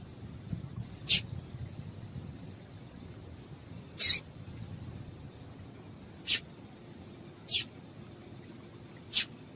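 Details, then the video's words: Five crisp, very high single chirps at uneven intervals of one to three seconds from a female double-collared seedeater, calling to excite a male, over a soft continuous high whine and low background murmur. "Piado de Fêmea de Papa capim Para Esquentar papa capim"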